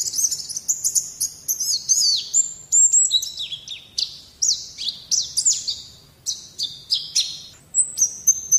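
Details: White-eye singing on a recording meant to get young birds singing; high-pitched tumbling twitters, clear whistled slides and brisk chip notes run on without pause, with a few longer sustained whistles.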